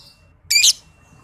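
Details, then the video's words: Young lovebird under five months, in a recording used to stimulate other lovebirds. One loud, harsh, buzzy screech lasts about a quarter second. "JAGONYA PANCINGAN MASTERAN LOVEBIRD PAUD BALIBU"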